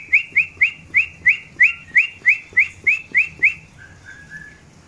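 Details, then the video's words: During a breeding pairing, a long-tailed white-rumped shama repeats a bright rising whistle about eleven times in quick succession, then gives a few softer, lower whistled notes. "PROSES PENJODOHAN MURAI BATU EKOR PANJANG"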